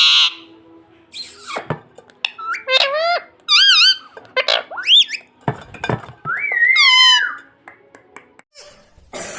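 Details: Indoor talking parrot known for saying mummy. Squeaky arched speech-like syllables mix with clatter and knocks, like dishes, between phrases.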